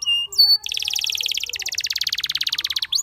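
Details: Song of a Spanish Timbrado canary: a few clear high whistled notes, then a long, dense rattling trill of very rapid pulses that loosens into separate, evenly spaced beats near the end.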